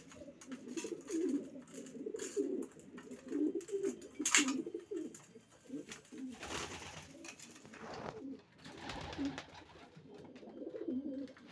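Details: Group of racing pigeons cooing indoors, low continuous throaty coos broken by clatters and wing or cage noises.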